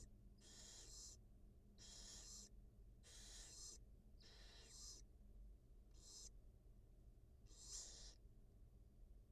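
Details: Barn owl nest with a wild mother feeding two newly hatched nestlings, filmed by a live camera; seven loud, noisy hissing rasps, each about half a second long, spaced roughly a second apart above a low hum.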